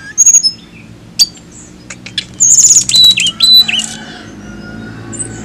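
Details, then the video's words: A flycatcher sings a scratchy, uneven phrase of high chips and squawky notes, then a bright run of clear whistled tones stepping down in pitch, with faint low hum underneath. "TLEDEKAN AUTO BUNYI DENGAR INI"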